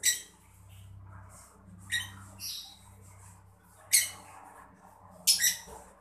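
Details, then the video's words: Mocca-colour lovebird uttering scattered harsh, high squawky chirps, single and in quick pairs, over a low steady background hum. The sound serves to stimulate other birds to sing. "lovebird mocca gemericik cocok buat mancing burung biar gacor"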